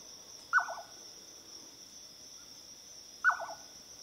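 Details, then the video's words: Jerdon's nightjar calling at midnight gives two short, liquid, quavering notes that fall in pitch, about three seconds apart, over a steady high buzz of crickets. "jedon's nightjar calling"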